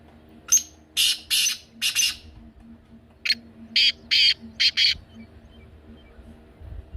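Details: Kala teetar, or black francolin, used to prompt pet birds to call: two phrases of harsh, rasping notes, the first of four, the second of five or six, separated by a brief pause over faint hum.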